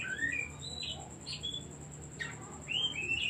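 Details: Short stretch of Oriental magpie-robin song, played to provoke other birds: a rising whistle, a few brief clear notes, then loud upward-sliding whistles near the end, with a steady high electronic tone behind.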